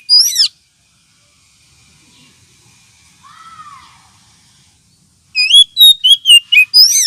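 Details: Lure call of an oriental magpie-robin, also played as therapy for birds short on aggression: one sharp falling whistle, a long near-silent stretch with one faint descending note, then a rapid volley of six or seven loud, high, chirping whistles.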